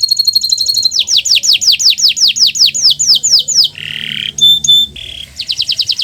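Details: Master-recording song of a Kenari Nusantara canary, meant to get silent canaries singing: a fast high trill, then a steady series of about a dozen downslurred whistles, a brief nasal buzz with pure whistled notes, and a fresh quick trill.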